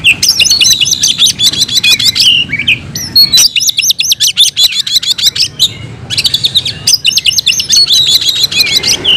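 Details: Oriental magpie-robin, a kept songbird, delivering energetic fighting song: dense runs of sharp, rapid chattering notes broken by short gaps and mixed with slurred whistled phrases, loud and continuous throughout.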